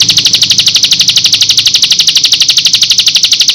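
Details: Bar-winged prinia song played as a lure to make other prinias reply. A continuous high, buzzy trill of sharp pulses repeated evenly about four times per second, with a faint low hum beneath.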